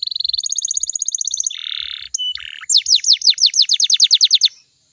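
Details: Canary song used to draw replies from other canaries. It opens with a very fast, fine trill, switches to a harsh buzz, then slower, loud downslurred whistles repeated about four per second.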